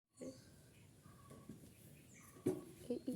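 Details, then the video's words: An Indian ringneck parakeet talks while eating chocolate, in quick, low, speech-like mumbles ending in a few louder clipped syllables; a quiet indoor room hum runs underneath. "Parrot Talking"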